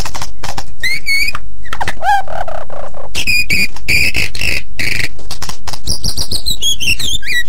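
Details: White-rumped shama song offered as a model for other birds to learn: harsh, noisy chattering bursts mixed with short whistles and, near the end, a run of quick descending whistled notes.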